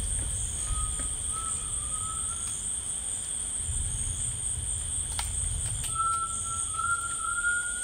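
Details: Rainforest tinamou singing: two separate long, clear whistles, each drawn out and gently rising, the second louder, amid continuous high-pitched insect trilling and a few sharp clicks.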